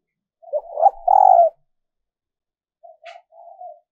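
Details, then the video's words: Female dove calling to attract males: a rolling run of notes swelling into a long loud falling coo, then after a pause a quieter series of short coos ending in a drawn-out note, with a brief click. "Tiếng Chim Cu Mái mp3 kích Trống Mới Nhất"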